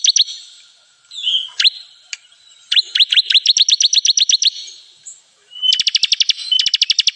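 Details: Bar-winged prinia call used to lure birds into traps: a few scattered high notes, then a long, even train of fast chirps, a pause, and another rapid, very high chattering run.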